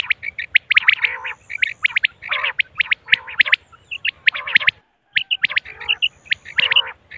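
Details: Common quail, female, giving rapid, overlapping high chirps in dense bursts. Brief lulls break the calling and a soft low mechanical pulsing continues behind.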